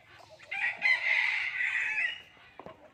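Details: Common hill myna talking in human language, one drawn-out, hoarse, voice-like utterance lasting over a second, rich in harmonics, then fading into a few soft clicks.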